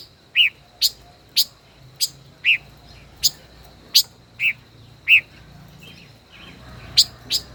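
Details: Steady sharp chips about twice a second with occasional slurred notes, given by a five-colored bird caged more than a year as a decoy in a song duel.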